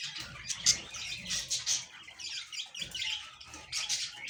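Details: High twittering and chirping from breeding budgies comes in several short bursts, with one sharper squeak early and soft rustling between phrases.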